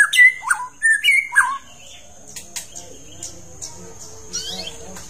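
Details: White-rumped shama of the long-tailed type singing rich, looping whistles for about a second and a half, used to stimulate a bird into full song, then fading to a steady high ringing tone and faint chirps.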